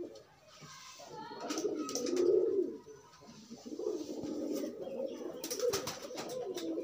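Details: Pigeons pairing up while loose, cooing as part of courtship: low, throaty rolling coos in uneven bursts, loudest around the middle, with a few sharp clicks and faint higher chirps.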